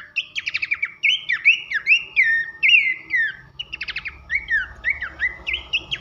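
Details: Horsfield's babbler, called pelanduk semak, in a masteran for coaching contest birds: clicking trill bursts leading into repeated ringing downslurred whistles, then another rattle and more falling whistles.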